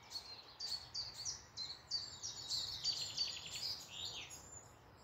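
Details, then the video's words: Morning woodland birdsong near Malton, North Yorkshire: a lively stream of high, rapid chirps and twitters, about three notes a second, with short trilled runs over a quiet background. "Morning Woodland birds singing"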